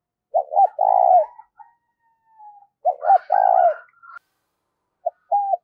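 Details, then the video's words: Spotted dove used to lure wild doves, repeating low coo phrases of a quick double note and a long held note about every two and a half seconds, with faint higher chatter around them. "cu gay kich boi nhanh noi gù"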